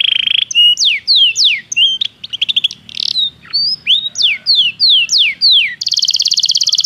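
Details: Belgian canary song for canary training: a buzzy trill, then varied whistled notes, sharp falling slurs and short chirp clusters, ending with a high rapid rolling trill.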